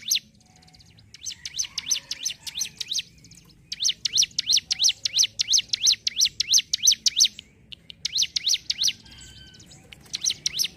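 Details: Sunda whistling thrush, a mountain ciblek, singing in bursts of rapid, high, sharply zigzagging notes repeated about three per second, with short pauses between series and a faint low hum underneath.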